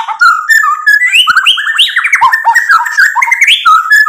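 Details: White-rumped shama in full song, used as a lure to provoke other birds into singing and showing their repertoire: loud, fast, varied whistled phrases that leap up and down with slurred and rising notes, delivered without pause.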